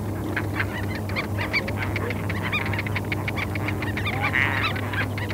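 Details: Crowd of terns calling on a South Carolina sandspit at Murrell's Inlet in April 2017, taken with a parabola: dense chorus of short rasping notes, several birds at once, with a constant low droning background.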